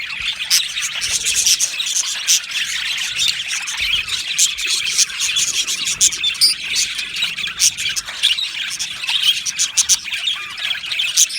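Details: Australian budgie flock in an aviary, lively rapid chirping and clicking from many birds at once, sharp tick-like notes standing out from the steady high warble.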